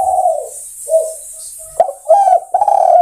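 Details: Spotted dove calling to other birds, a sequence of low, hollow coos that starts softly, then grows into two loud, sustained rolling coos.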